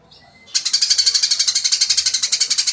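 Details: Eurasian tree sparrow fighting: a faint thin note, then an abrupt onset of fast, evenly repeated harsh high chirps that continue steadily without a break.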